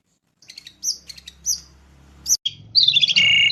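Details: Long-tailed shrike from East Java singing actively with a mimicry-filled song. Sparse high chirps and short squeaky notes, then a dense buzzy rattling phrase with a low hum beneath.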